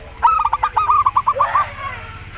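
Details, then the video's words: Zebra dove of the local Rondo Semoyo style facing an unusual-voiced rival: one rapid rolling coo phrase of about ten quick pulsing notes, slightly rising and falling over about a second and a half. "Perkutut Lokal Rondo Semoyo VS Perkutut Suara Aneh"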